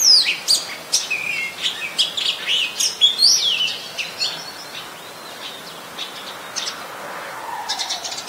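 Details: Red-whiskered bulbul, an adult, in Ubon Ratchathani, Thailand, 3 January 2021: a lively run of sharp chirps and liquid slurred notes for about four seconds, then near quiet with faint distant chirping.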